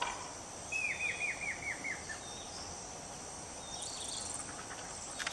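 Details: A Thick-billed Euphonia in Panama, 2015, gives a quick run of about seven clear, down-slurred notes in just over a second, then fainter high notes, over steady insect hum.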